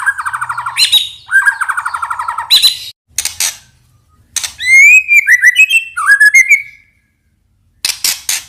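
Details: White-rumped shama singing in a lure recording for provoking males. Two grating rattles, then a run of bright rising and falling whistles, a silent gap and final sharp clicks.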